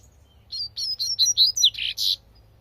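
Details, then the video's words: Wild double-collared seedeater giving a tui tui song: a rapid run of clear, high, downslurred notes ending in two harsher, buzzier syllables, all within under two seconds. "coleirinho cantando tui tui na natureza"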